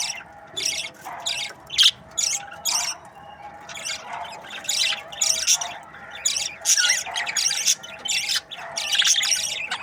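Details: Chirping from budgerigar breeding pairs: a steady string of squawky, high-pitched notes in short bursts, some louder and sharper, over a soft continuous hum.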